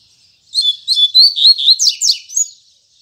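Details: Morning song of a double-collared seedeater (coleiro), Tui Tui Zel Zel style: a quick phrase of about eight loud, clear, high whistled notes, slurred and evenly spaced, ending in sharper buzzy strokes.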